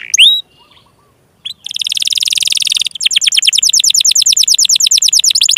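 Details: Singing canary used as a lure for reluctant and juvenile canaries: one brief whistled note and a quiet gap, then a long buzzy roll that breaks into rapid, evenly repeated high chips.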